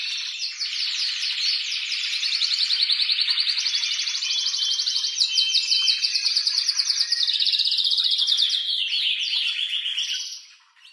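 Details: Excited male canary singing strongly to stimulate mating: a long, loud, rapid rolling trill with quick sweeping notes, lasting about ten seconds before fading out.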